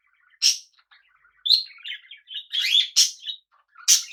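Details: Budgies living with cockatiels as pets: sharp bright chirps spaced about a second apart, mixed with busy warbling chatter in between.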